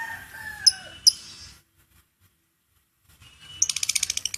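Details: Lovebird giving ngekek chatter: a few shrill high notes and a falling whistle, then a fast, even burst of sharp, high ticking pulses near the end, with a low background hum.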